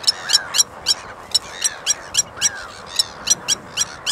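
Blacksmith lapwing giving sharp, metallic 'tink' notes like a hammer striking an anvil, about four a second in an uneven run, with softer slurred calls beneath.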